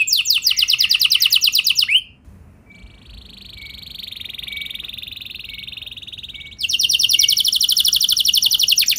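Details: Canary singing to spur other canaries into long rolls: loud fast high trills at the start and end, separated by a quieter, softer sustained rolling trill.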